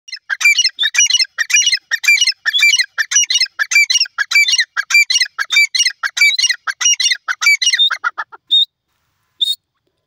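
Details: Grey francolin, known locally as Irani teetar, calling: loud harsh squawking notes repeated rapidly in a steady run for about eight seconds, then two short isolated notes after a pause, with no other sounds.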